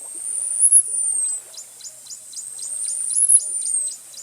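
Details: Costa's hummingbird singing two long, very high, thin whistles that swell upward and fade, each followed by a train of short descending notes repeated about four times per second.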